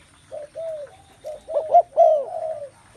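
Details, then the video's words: Softer spotted dove cooing: a few quiet hollow notes, then a louder paired coo and a long falling phrase, with another bird's coo starting at the end. "Một không gian đầy ấp tiếng chim cu gáy"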